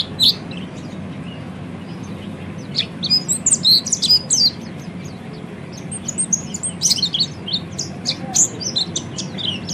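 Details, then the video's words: Oriental white-eye called peleci in ngeriwik song for training birds: a quiet opening, then two dense bursts of high sharp twittering notes separated by a short lull, low hum behind. "kicau burung peleci ngeriwik"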